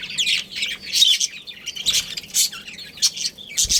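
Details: Budgerigars, a breeding pair from a colony, trade harsh squawks and buzzy chirps in quick bursts, several per second, close and loud.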